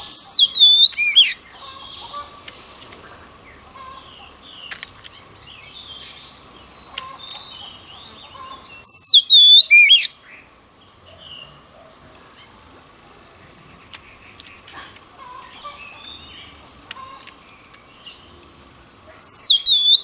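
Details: Oriental magpie-robin practicing its song daily: only a few brief, loud whistled flourishes, spaced far apart, with long stretches of soft background noise and a faint steady hum between them.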